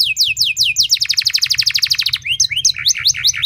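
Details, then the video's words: Canary lure song, long and loud, used to get other canaries singing: a few falling whistles lead into a rapid rattling trill, followed by scattered, varied chirps and twitters. "Langsung Respon Burung Kenari Kondisi Apa Saja Dengan Pancingan Kenari Nembak Panjang Keras Ini"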